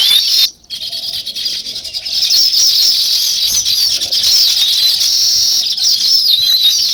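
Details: A flock of sparrows, possibly weaver birds, chirps in a dense, unbroken chatter of high, overlapping notes, several each second, with a brief lull near the start.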